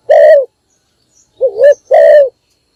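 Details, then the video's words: Morning lure call of a spotted dove kept as a decoy: three soft, throaty coos, a long note, then a pause, a short wavering pair and another long coo. "นกพิราบดัง birds - เสียงนกร้องตอนเช้าเพื่อเรียกนกของคุณ"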